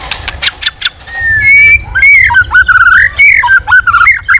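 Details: White-rumped shama singing hard, switching voices while flicking its tail: several sharp clicks, then loud, dense warbled phrases of ringing whistles that rise and fall quickly.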